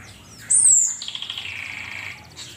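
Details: Asian pied starling, locally called cucak keling, singing in a master recording for training songbirds: a loud high downslurred whistle, then a rapid dry rattling series of clicks over a lower buzzy band, ending with a faint chirp.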